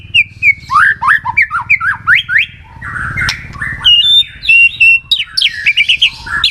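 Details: White-rumped shama song used to coax other shamas into singing: rich run of swooping whistles and chattering notes, a harsher burst midway, then bright high whistles and quick trills, over a faint low hum.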